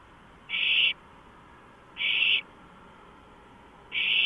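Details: Owl on a porch at night, 2:05 AM, 5 April 2015: three rasping, hiss-like bursts spaced roughly one and a half seconds apart, each short and flat-toned, against faint constant hum.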